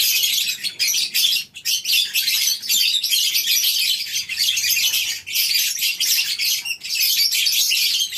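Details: Shrill, continuous chattering of many lovebirds housed together in a colony aviary on a breeding farm during the morning, dense squeaky calls with brief flickering gaps.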